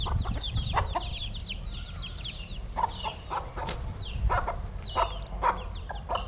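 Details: Fed chickens chattering as a group, giving a run of high, bent peeps and chirps, thickest in the first two seconds, then sparser, with repeated sharp taps and clicks from pecking or handling food.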